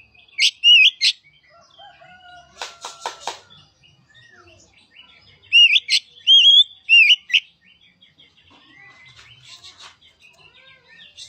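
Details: Oriental magpie-robin lure song to get a silent bird singing. Short, high, looping whistled phrases alternate with a brief buzzy rattle and scattered soft chips and twitters.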